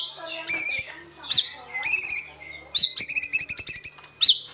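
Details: White-rumped shama, locally murai batu, singing energetically as master song: scratchy, buzzy high notes in short bursts, a rapid series of ticking clicks, and a final rising-falling squeaky note.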